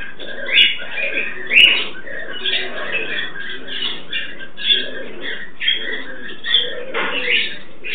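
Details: Turquoise-fronted amazon pair kept as pets, mating: raspy, pulsing chatter with low guttural grunts, louder squawks recurring about once a second.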